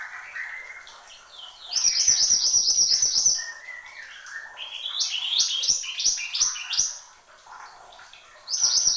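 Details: Horsfield's babbler in full song: low whistled phrases, then a loud rapid trill of high notes for over a second, followed by stepped, rising and falling whistles and a final high burst.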